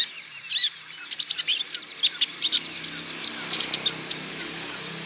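Olive-backed sunbird giving a rapid run of high, thin, sharp chips and twittering notes, several per second, with faint background hiss.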